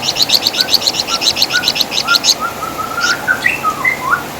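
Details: Javan fulvetta, known locally as flamboyan or wergan jawa, singing as a master recording for training songbirds: a fast series of high chattering chirps for about two seconds, then softer, lower, scattered whistled notes.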